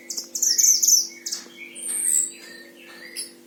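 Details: Caged Himalayan oriental white-eye from Sragen, Central Java, Indonesia, kept as a tutor bird and singing vigorously: rapid high thin twittering phrases, rich and fast, over a steady low electrical hum.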